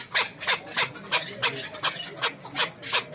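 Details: At a bazaar in Dushanbe (Zarafshon), a hybrid chukar partridge repeats clipped, descending chuk notes, about nine in quick regular succession, against soft background hubbub.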